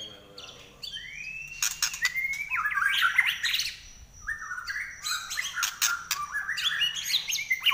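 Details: Trek-style song of a kept White-rumped shama with a shrill nyelit voice, offered as tutor song for other birds: rising whistles and fast, jumbled, chattering phrases in two long bursts separated by a short lull.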